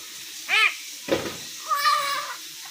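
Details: Common hill myna talking in three parts: a brief arched whistle, a harsh rasping burst, then a drawn-out, wavering, voice-like tone.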